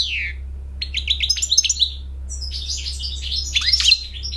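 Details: Singing American goldfinch, performing to attract a mate and to teach young birds the song: a falling whistle, then a rapid series of high chirps and twitters, with a low electrical hum throughout.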